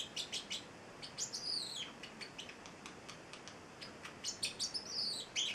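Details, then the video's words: Young pet Celestial Parrotlet (male, eight weeks old): clusters of quick high chirps broken by downward-sweeping squeaky whistles, in irregular bursts with short gaps. "the Singing Parrotlet"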